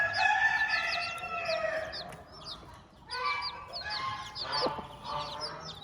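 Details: Farmyard hen with her brood makes buzzy harmonic clucking in two main bursts separated by a short lull, as chicks chirp with rapid high, slurred peeps above her voice.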